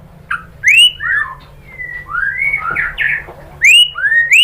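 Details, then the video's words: Lure song of the white-rumped shama (murai batu) to set off singing: varied loud whistles, upslurred and downslurred, with rich swooping phrases and short pauses. "bikin MURAI BATU jadi NYAUT GACOR BONGKAR MATERI TEMBAKAN ¦ PANCINGAN MURAI ¦ SHAMA BIRD"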